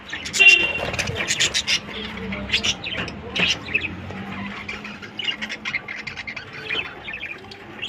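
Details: Budgerigars in a breeding colony of 100 pairs, giving dense overlapping high chirps and short warbled squeaks from many birds at once, with faint low traffic rumble underneath.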